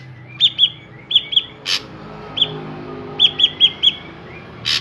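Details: Drongo singing in a recording meant to lure other drongos into singing: bright, high, ringing whistled notes, mostly in pairs and a run of four, each with a short trailing tail, broken by two harsh rasping bursts.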